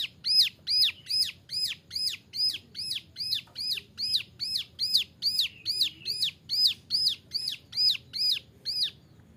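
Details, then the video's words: Young male Bar-winged Prinia (ciblek gunung), a tutor bird for other songbirds, delivers a long unbroken series of bright arched chip notes, over twenty in a row, evenly spaced at roughly two per second. "Suara ciblek gunung muda nembak varisi cocok buat masteran"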